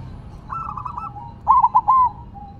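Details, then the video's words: Silver perkutut, a zebra dove, set on the ground and still singing: a soft rippling trill, then one loud phrase of three quick looping coos. "Perkutut Silver Tetap Gacor Walaupun Ditaruh Tanah"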